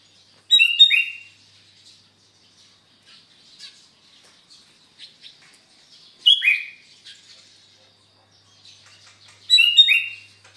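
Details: Morning song of a sooty-headed bulbul at Sukanegeri, East OKU: three short liquid phrases of falling, slurred whistles spaced several seconds apart, with faint soft chirps between them.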